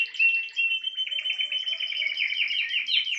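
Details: Spanish timbrado canary song: a dense run of rapid metallic trills held around one pitch, with faster rattling notes near the end and short high whistles mixed in.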